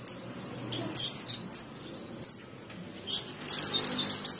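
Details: Javan bushlark tutor song from 2022: a few well-spaced high, falling whistled chirps, then a denser run of high twittering near the end.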